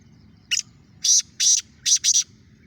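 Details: Black francolin, a seven-month-old young bird just beginning to call: short harsh bursts, one then a pair then two close pairs, each noisy and high, over quiet low background hum.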